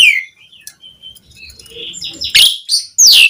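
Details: Quieter bit of Javan pied starling song, used to make other starlings sing: a falling whistle, soft scattered notes, then two loud harsh bursts near the end.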